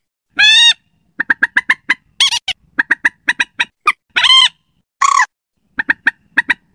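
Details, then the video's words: Lure sound of a slaty-breasted rail for use at night: long harsh arching squeals interspersed with quick runs of sharp clipped notes and a brief grating burst. "suara pikat burung mandar batu, cocok buat malam hari"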